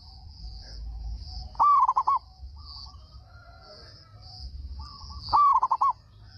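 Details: Zebra dove, a local Indonesian bird singing strongly with a big voice that draws replies from other doves; two coo phrases, a sharp upslurred note then a rapid broken series of coos, separated by a long pause, with continuous high buzzing behind.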